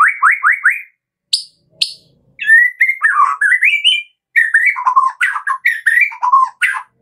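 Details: Kretekan-style song of a White-rumped shama, used to lure shamas into singing: four quick rising slurred whistles, isolated high notes, then a long rambling sequence of varied whistled phrases.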